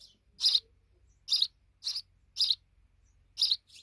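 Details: Sparrows at a deep nest inside a wall give short, bright chirps repeated about once a second, with a faint low hum beneath.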